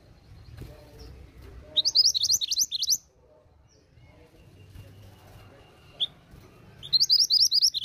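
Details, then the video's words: Female pied bushchat used to draw responses from males: quick bursts of high, thin chirping notes about a second long, repeated twice with a pause between, over a faint low hum. "BURUNG MANTENAN GUNUNG BETINA GACOR UNTUK TARIK RESPON BUNYI MANTENAN JANTAN"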